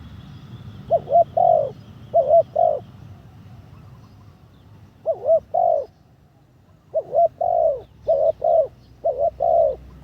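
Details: Decoy spotted dove during its third round of training, calling in spaced phrases. Each phrase has two or three soft, low coos, the first often with a rising-falling wobble, separated by pauses of one to two seconds.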